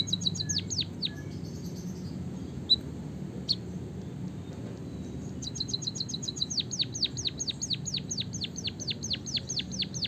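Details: White-headed munia singing a rolling, canary-like song, used to train and stimulate other munias to sing: rapid high repeated notes, then a long series of downward-sweeping whistles repeated about twice a second, over a low background hum.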